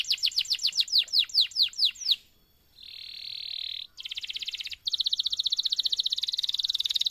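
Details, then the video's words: Canary singing energetically as a training model for other canaries: a fast series of descending whistled notes, then a steady buzzing tone and a rapid, even high trill. "MASTERAN suara BURUNG KENARI GACOR PANJANG || COCOK untuk PANCINGAN KENARI lain !!!"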